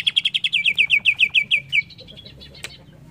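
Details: Greater green leafbird (cucak ijo) giving a rapid, even series of about fourteen clear down-slurred whistled notes, followed by soft high chips and one sharp click.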